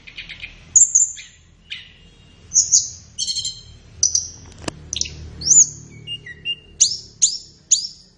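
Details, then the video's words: Flowerpecker song as a training master for captive birds, morning or afternoon: scattered thin high chips and buzzy notes with pauses between, plus a single sharp click in the middle. "SUARA BURUNG - Masteran Terbaik Tledekan | Song 5"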